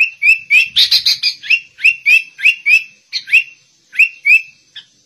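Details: Sooty-headed bulbul in white-rumped shama style: a quick run of rising whistled notes with a brief burst of rich chattering, then spaced whistles slowing toward the end.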